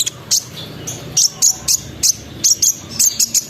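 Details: High-pitched sunbird song used to provoke other sunbirds to sing: sharp, piercing chip notes repeated at short uneven intervals, some paired, in a lively chattering rhythm.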